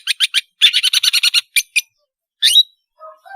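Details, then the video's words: Long-tailed shrike singing, a tutor for juveniles learning song: a few scratchy notes, then a fast chattering series of about ten harsh notes, a downslurred squeak, and soft low whistles at the end. "BURUNG PENTET GACOR SUARA MERDU, PANCINGAN TROTOL BELAJAR BUNYI"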